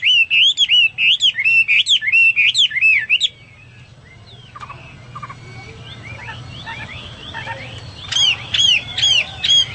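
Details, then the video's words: Hwamei singing as a tutor bird: a burst of loud looping whistled phrases, then a quieter stretch of soft scattered notes, before the bright swooping whistles return near the end. "Burung Hoa Mi gacor Mantap Cocok Buat Masteran"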